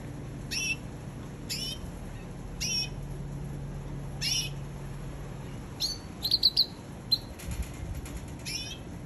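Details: Red canary giving sharp, high chirps spaced about a second apart, then a quick burst of rapid trilled notes and more chirps, over a steady low hum.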